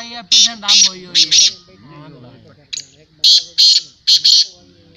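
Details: Black francolin (kala teetar) calling at a 2022 calling tournament: loud, harsh, grating high-pitched bursts in two groups of three to four rapid notes, with a man's voice talking underneath between them.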